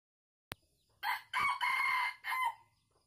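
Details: Wild red junglefowl crowing vigorously in an oil palm plantation on 12 August 2021, used for luring birds. A sharp click comes first, then one harmonic three-part crow: a short opening note, a long sustained middle and a brief falling end.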